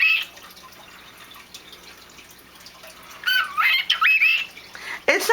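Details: A pet male cockatiel in his cage at bedtime gives a burst of bright, warbling chirps with rising and falling whistled notes after a quiet start, as his owner talks to him.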